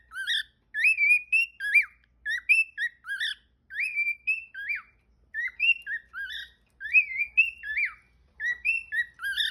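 A cockatiel gives a run of clear, rising and falling whistled notes in short bursts.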